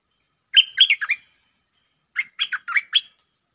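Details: Bulbul lure song in the Jao Bank style with doubled notes: two phrases of four or five mellow, slurred whistles, each note bending up or down, about a second apart, against silence.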